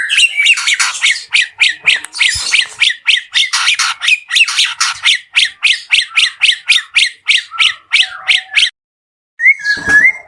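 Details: White-rumped shama at a bird farm in energetic song: a long string of sharp, rapidly repeated clipped notes, about three or four per second, then a brief silence and a final rising whistled slur.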